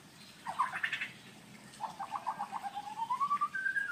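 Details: Male white-rumped shama (murai blorok) courting a female, Indonesia: a brief burst of bright notes, a pause, then a rapid pulsing series that slides upward into a long, rising whistled glide.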